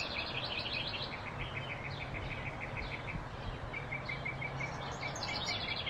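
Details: Blue-throated flycatcher field recording from Arizona: rapid series of thin, high chipping notes in short trills, repeated several times over a steady hiss of background noise. Blue-throated flycatcher.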